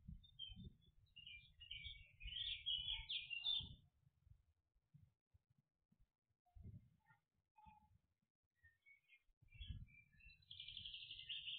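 Great spotted woodpecker giving high, harsh chattering calls in two bursts separated by a quiet pause, over low rumbling and thumping noise.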